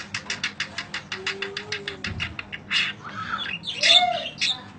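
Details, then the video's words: Budgerigar chirping as training audio: a fast run of evenly spaced clicking pulses, then louder squeaky chirps and a warbled phrase, with faint room sounds. "Kicau Panjang Parkit Masteran"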